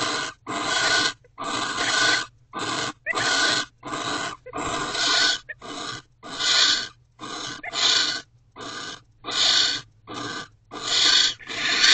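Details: Barn owl pair in a nest box late at night on 1 January, mating while another owl is nearby; harsh, breathy hisses repeat roughly every second and a half, each burst rough and noisy.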